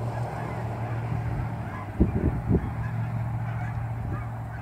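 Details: Canada geese in fall, hundreds moving from ponds to grain fields just after sunrise near Dawson Creek airport; a few loud honks around the middle over distant flock calls and a steady low engine-like hum.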